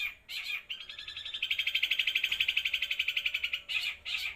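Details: Long-tailed shrike singing 'los trotol': a harsh note, then a long, fast, buzzy trill of rapidly repeated notes for over two seconds, ending in two more scratchy bursts.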